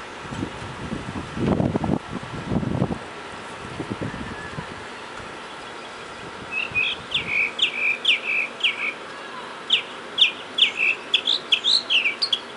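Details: Mockingbird outdoors by a door on March 31, 2010: after low thumping noise early on, the bird delivers repeated short whistled notes in series, then a varied run of chirped and slurred phrases.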